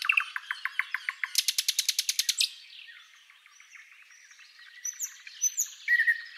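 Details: Thrush Nightingale producing accelerating repeated notes that build into a loud, fast rattling trill, a short quiet gap, then faint high whistles and soft chatter.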